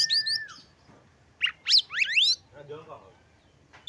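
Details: Brief burst of Oriental magpie-robin song, aimed at stirring other magpie-robins' breeding urge: high whistles and a level tone, then fast rising slurred notes, followed by a quiet, softer warble.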